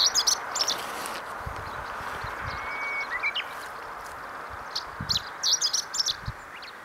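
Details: Chestnut-eared bunting singing on the Kirigamine highland, giving short, rapid phrases of high, scratchy chirps, one at the start and another about five seconds later, over a steady wind-like hiss; a Japanese bush warbler also calls.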